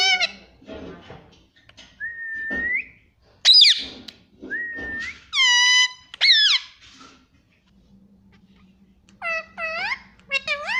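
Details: Indian ringneck parrot kept as a pet, talking and repeating "mommy" in bursts: short rising whistles, a shrill squawk, then clusters of quick nasal speech-like syllables with pauses in between.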